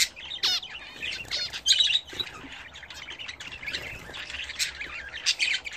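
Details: Budgerigars kept at home, bathing, make a sliding whistled note at the start, then busy scratchy twitters and chirps, with loud bursts at intervals.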